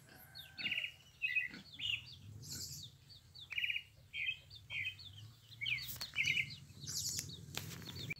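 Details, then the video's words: A pale-breasted thrush delivers a run of quick, varied warbling phrases about once a second, interspersed with higher squeaky notes and a few sharp ticks. "Canto da sabiá coca"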